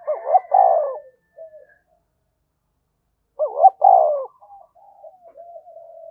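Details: Repeated spotted dove coos in the energetic thúc bổi style, two strong phrases roughly three seconds apart, each a warbling lead-in and a hollow descending coo, with faint answering coos trailing after.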